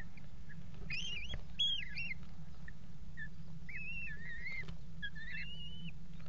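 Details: Eurasian kestrel pair mating on the nest box rim inside a water tower, February 2018: sharp high whistled notes, then drawn-out level whistles repeated every second or so, with a constant low background drone.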